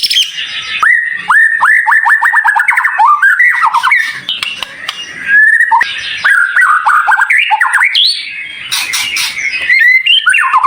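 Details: Shama tutor song, white-rumped shama, with tight, sharp fills: a fast run of repeated downslurred whistles, then varied squeaky phrases and louder scratchy notes near the end.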